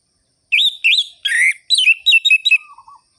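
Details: Orange-headed thrush song in ngerol-ngeplong style, meant to excite other birds: a quick run of bright, varied whistled notes with a harsh burst midway, closing on a soft lower rolling trill.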